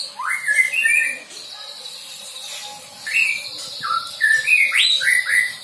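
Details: White-rumped shama, a young bird that has lost its juvenile spots, learning filler song material: sharply rising whistles and short slurred phrases, varied and delivered in uneven bursts.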